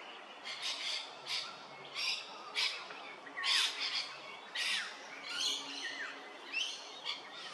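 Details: Striated pardalote at Hervey Bay, Queensland, giving high, sharp, slightly harsh notes, roughly one each second, some ending in quick downward slurs; faint background hiss.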